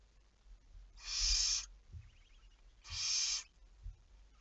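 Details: Two drawn-out rasping screeches roughly two seconds apart from a barn owl, 11 May 2019, 23:34, with faint soft ticks and low knocks in the pauses.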